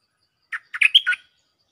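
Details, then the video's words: Cream-vented bulbul giving a mate-calling phrase for luring: a single note, then a tight run of bubbling, chattery chirps ending in a short whistle, against a clean silent background. "เสียงต่อนกดอกแตงEp.146 จ้าวขันเงินเรียกคู่!! Suara pikat merbah lekir gacor"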